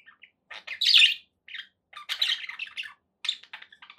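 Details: Happy pet budgies give quick chirps and a louder scratchy squeak, then a run of warbling twitters separated by brief silences.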